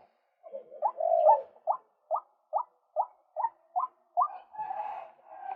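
A male White-breasted Waterhen gives a steady run of short, upward-kinked croaking notes, two or three a second, that ends in a rougher, grating phrase.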